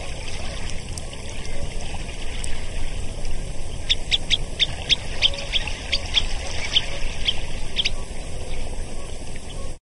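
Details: Semipalmated sandpiper (Calidris pusilla), call.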